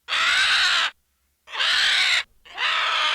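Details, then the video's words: Vulture uttering three coarse, hissing squawks in quick succession, roughly a second each with short gaps, harsh and broadband throughout. "VULTURE VOICE | BIRD OF PREY | SCAVENGERS | CARRION | EXTANT SPECIES | CATHARIDAE |SQUAWKS|"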